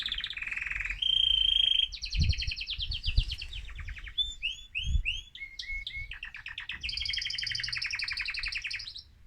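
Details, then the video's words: Excited male mosaic canary sings to stimulate other birds, with a varied sequence: a low buzzy note, a steady whistle, fast high trills, curved liquid notes, and a closing rapid rattle. "أجمل تغريد ذكر كناري هائج موزاييك لتحفيز طيورك"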